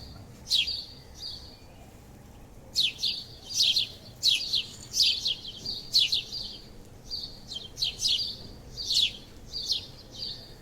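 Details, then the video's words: Sparrow chirps, sharp high notes in short clustered bursts, repeated irregularly more than once a second, over a quiet background. "save sparrows #birds sound#गौरैया को बचाएं #उनकी जो आवाज आती है बड़ी ही सकुन से पूर्ण होती है"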